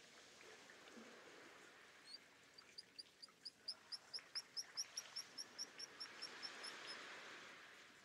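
A black guillemot gives a fast series of about twenty thin, very high whistled notes that swell then fade, over soft background noise.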